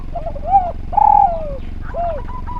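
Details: Spotted dove in full voice, recorded to train and prompt other doves to call: a short soft note, then a long drawn-out coo sliding down in pitch, and another falling coo, with low background hum.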